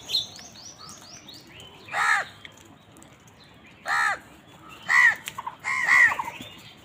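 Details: Crows squabbling over food give loud, raspy caws spaced one to two seconds apart, after a rapid series of thin high chirps from another bird at the start.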